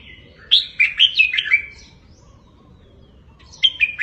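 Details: Red-whiskered bulbul tutor song in the doubled 3-4-5 style for caged birds: a rapid phrase of five warbled whistles, two seconds of quiet, then the phrase begins again.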